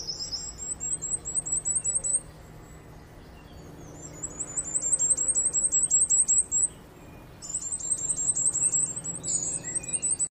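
Common Firecrest singing three very high, thin phrases of rapid needle-like notes that speed up and climb slightly, with a faint low background hum.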